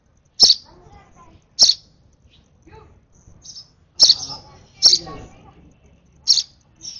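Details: Hand-fed baby sparrow, over-excited at feeding time, giving high thin cheeps in irregular bursts, some with sharp clicks, with soft rustling between calls.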